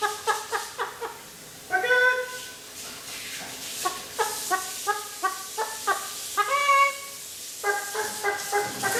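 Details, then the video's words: One-year-old male pet Eclectus parrot clucking like a chicken: short harmonic clucks repeated in quick runs of four to six, broken by a few louder, drawn-out squawking notes, with steady background hiss. "Eclectus Parrot believes he is a Chicken!!!!"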